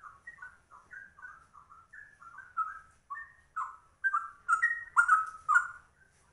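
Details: Rare trucuk (yellow-vented bulbul) performing a straw-headed bulbul-style ropel: quiet, spaced whistled notes building steadily in volume into louder, fuller swooping phrases near the end.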